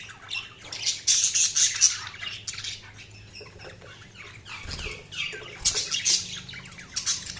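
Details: Several budgies chatter loudly, with harsh squawks and buzzy trills in quick runs, a quieter middle passage, then renewed squawking with a low knock or two.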